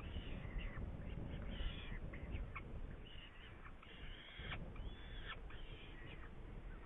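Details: In Hungary on 8 May 2019, a Saker falcon with prey gives irregular harsh calls, some short and clipped, others drawn out and sliding down, over strong low-pitched background noise.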